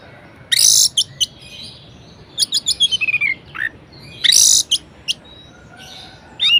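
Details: Energetic varied song of a caged orange-headed thrush, played to excite lazy birds into singing: loud harsh hissy bursts mixed with fast clicks and short sliding whistles.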